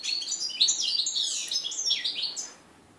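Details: First post-moult song of a 2013 red-breasted flycatcher x canary mule, January 2014: a quick, busy run of high chirps, slurred whistles and twitters lasting about two and a half seconds before falling silent.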